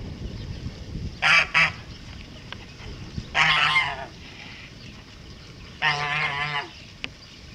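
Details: Male pure white Kholmogory goose, hatched 2014, kept on a farm, recorded 7 November 2017: three loud, harsh, nasal honk bursts, the first a quick double honk, the others longer and wavering, with quiet gaps between.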